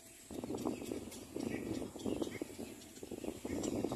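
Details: Little black cormorant arriving with food for its chick; fast, ragged, rasping chatter runs almost continuously, with a few brief gaps.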